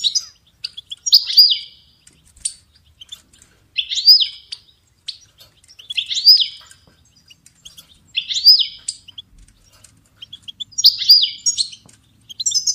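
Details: European goldfinch song offered for training songbirds: short bright twittering phrases, each sweeping down then up, repeated about every two and a half seconds, with scattered thin chirps between them and no other sounds.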